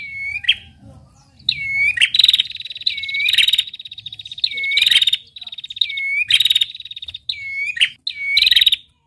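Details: Female prinia, described as a red-headed prinia, calling actively as a tutoring recording: a downward-curving whistled note followed by a rapid buzzy trill, repeated about every one to two seconds, with faint low rumbling beneath.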